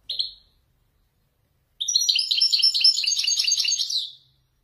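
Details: Wedani European goldfinch performing authentic Marrakech-style descending phrases: one short high note, a pause, then a rapid two-and-a-half-second burst of tinkling, twittering notes.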